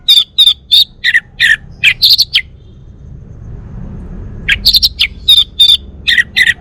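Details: Song of a male Bali orange-headed thrush: a string of sharp, evenly spaced high chirps, about three per second, breaking off for a pause and then resuming at the same pace.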